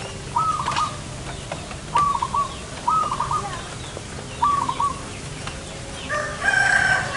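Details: Zebra dove being lured for trapping outside a house, giving four short rolling, staccato coo phrases spaced a second or two apart; a rooster crows loudly near the end over low background noise.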